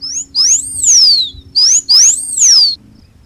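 Blue Finch song of high, thin whistled notes that arch up and slide down, given in quick bursts over three seconds, with a faint low hum behind.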